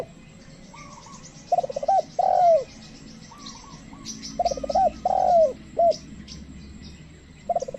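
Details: A tame spotted dove serves as a lure for wild birds that stay away. Its low coo phrase, a hooked note, a long note and a short tail, comes twice. Dense high twittering from small birds continues throughout.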